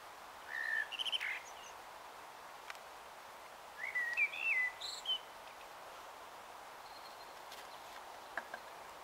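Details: Common blackbird at dusk in Taunton, Somerset, 21 March 2018 at about 18:12, singing two warbling phrases: a brief fluty note then a longer liquid, wavering whistle with a high squeaky ending, then near silence.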